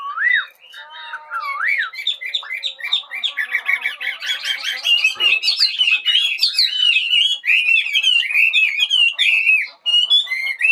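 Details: Bird song in the morning, a long, continuous, fast stream of chattering and warbled notes, rich in quick slurred whistles, becoming denser and higher toward the middle.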